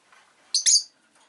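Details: A single loud, buzzy two-part chirp from a Rosy-faced lovebird, the second part longer and bright, with faint soft noises before and after.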